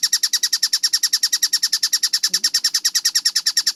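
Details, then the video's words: Collared kingfisher (tengkek buto) in clear, rapid training audio. Harsh high notes run in a tight, regular series of about three per second, with a faint low sound midway. "MASTERAN TENGKEK BUTO GACOR SUARA JERNIH SPEED RAPAT"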